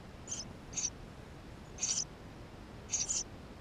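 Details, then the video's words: Nestling Eurasian tree sparrows begging in the nest box, GoPro recording: a few high, thin squeaks, some doubled into quick two-note chirps, spaced unevenly over nearly four seconds. "Воробей полевой 160416 2 в №2016 6 160528 GoPro1440p птенцы внутри 13"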